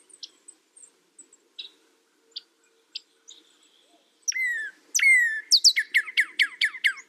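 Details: Northern cardinal: faint sparse chips at first, then long falling whistles and a fast run of sharply downslurred notes repeated several times per second.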